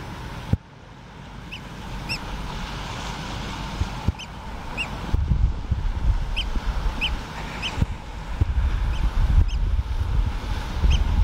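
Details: A pair of Eurasian oystercatchers on Great Blasket Island give short, high, piercing piping notes, singly and in quick pairs, over a constant roar of wind.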